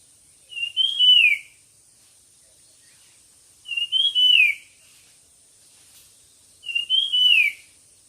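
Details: Competition birdsong: three clear whistled phrases, each climbing briefly then gliding downward, spaced roughly three seconds apart, with a constant thin high whine behind them.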